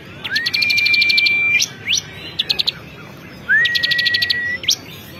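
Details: Bar-winged prinia, a prized contest songbird known locally as ciblek kristal, singing: long level whistles near one pitch overlaid with rapid ticking trills, plus short sharp upward-sweeping notes between phrases.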